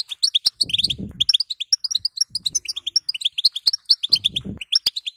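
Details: Female European goldfinch batbata for stirring a male into song: a fast, unbroken chain of bright chirping notes, accompanied by low fluttering rustles at the beginning, middle and end.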